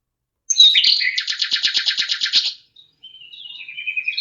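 A lark sings a dense, fast burst of high, buzzy trilled notes for about two seconds, then a thinner, warbling phrase continues.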